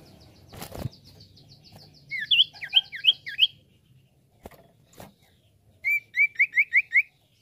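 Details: Common iora song used as a lure that birds answer at once: quick series of clear, slurred whistled notes, about five in a run, high and bright, with thin high twittering and a few knocks.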